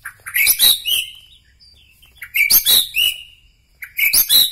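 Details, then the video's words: White-rumped shama from Bahorok, Medan, repeating three loud bursts of high, harsh, chattering notes about every 1.7 seconds, with short silences between them. "ciri ciri murai batu Medan Bahorok"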